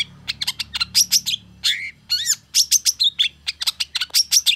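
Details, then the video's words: Long-tailed shrike singing in response to a rival, a rapid run of sharp high chirps and short squeaky notes, some down-slurred and rising, with a few buzzy slurred phrases, delivered in dense bursts with brief pauses. "KICAU CENDET GACOR EMOSI CEPAT DI RESPON PENTET LAWAN"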